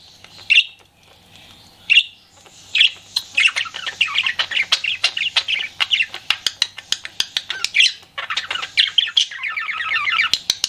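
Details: Pet budgie flirting with steady busy warbling chatter, full of quick high chirps and squeaky notes, broken by sharp clicks and a few louder squawks.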